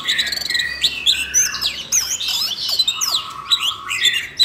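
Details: Siberian rubythroat in a cage singing after training audio for a young bird: a long, jumbled warble of rising and falling whistles, chirps and a held lower whistle, almost without break.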